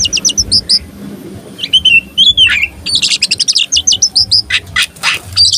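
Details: Tame oriental magpie-robin singing with tail opened to anger rival males: crisp curling whistles, a slurred fluty phrase, then a fast run of sharp repeated chips and buzzy notes, with faint low background rumble.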